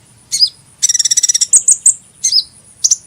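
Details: High hummingbird chirping: a slurred squeak, then a rapid dry rattle of about a dozen ticks, then three clear piping notes and two more slurred squeaks.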